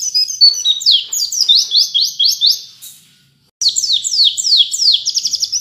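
A white-eye sings a fast, high twittering run of sweeping notes, several per second, in canary-like phrases broken by one brief silence.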